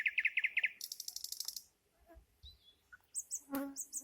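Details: Nightingale song opening with quick doubled clicking notes, then a high buzzy rattle, a soft pause, a thin whistle and sharp high chirps, with a single harsher note near the end.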